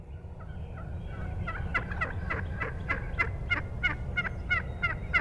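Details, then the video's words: A young wild turkey hen lightly yelping at very close range on 19 March 2014: a quick run of raspy, two-part yelps, about three per second, growing louder, with other hens yelping in the background and low wind or handling rumble. "BEST YELPS from a REAL LIVE HEN"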